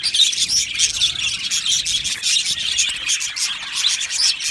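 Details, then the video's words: Budgies chirping together in an aviary, a bright, dense wash of high twitters and tiny squeaks, loud and continuous, with a few sharper peeping notes standing out. "Beautiful Budgie singing and chirping sounds"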